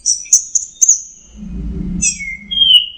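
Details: Anis merah teler song of the orange-headed thrush: a few high whistled notes with clicks, a quiet gap with low murmuring noise, then a descending slurred whistle.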